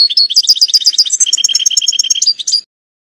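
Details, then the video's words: Fast liquid twittering song of a European goldfinch, a continuous run of bright tinkling notes and short trills lasting under three seconds, then silence. "canto chardonn"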